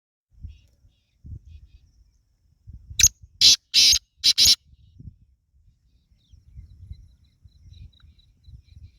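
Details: Black francolin, the kala teetar, delivering a single loud phrase of about five harsh grating notes within two seconds, with quiet rustling and low handling noise around it.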